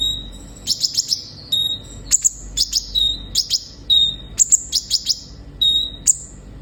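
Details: Olive-backed sunbird in full song, intended to stimulate captive birds: steady alternation of short level whistles and clusters of piercing high chirps, about one phrase per second.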